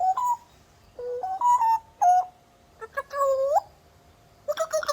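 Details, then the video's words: An African grey parrot mimics a cough with five short, voice-like hoarse bursts, some rising and bending at the end, with quiet pauses between. "African grey parrot imitating cough sound"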